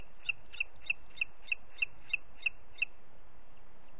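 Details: Nine crisp, high whistled notes from a booted eagle in quick, regular succession, then quiet. Parc Natural dels Ports, 30 June 2021, 11:01.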